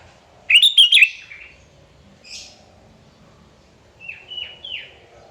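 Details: Sooty-headed bulbul (kutilang) in spirited song meant to provoke rivals: a loud burst of three fluty bubbling notes, a soft buzzy note, then three descending whistled slurs near the end.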